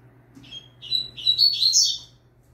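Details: Young double-collared seedeater singing steadily, recorded as a training song: a short phrase of thin high notes that builds into rapid buzzy, rising-and-falling twitters, with a low steady hum underneath.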